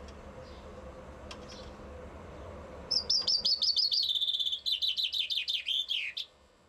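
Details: Common chaffinch in Bucharest, Romania, delivers one song after a quiet start with faint distant noise: a rattling run of high repeated notes, then slower, lower, even notes, ending in a downward-sweeping flourish.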